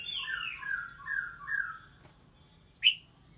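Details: A female red-whiskered bulbul of three moults, singing to rouse a male: four short descending whistled phrases in a row, a pause, then a single sharp rising note.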